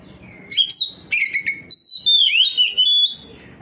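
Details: An Oriental magpie-robin answering another magpie-robin with loud 'ngeplong' song, showing off its repertoire: several clear whistled phrases, some wavering and some sliding down, delivered in quick succession over about three seconds.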